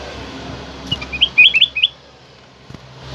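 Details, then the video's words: Black-crested bulbul singing loud and clear to set captive birds singing, also used to lure: a short burst of six quick, bright, slurred notes in a row, with quiet background hum. "Jadikan kutilang emas anda emosi dengar suara kutilang emas ini"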